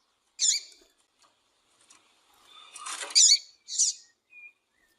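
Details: Female double-collared seedeater calling to excite males: a high buzzy chip, quiet rustling, then two more chips in quick succession and a faint short whistle.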